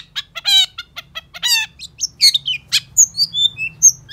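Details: Long-tailed shrike, used as a lure to get silent captive shrikes singing, gives a fast, varied jumble of harsh buzzy notes, rich chattering bursts and high thin whistles, over a faint low hum.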